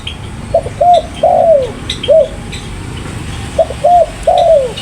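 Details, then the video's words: Spotted dove giving two phrases of short coos ending in a long downward-sliding note, with faint high chirps behind. "Burung Tekukur Paling Gacor"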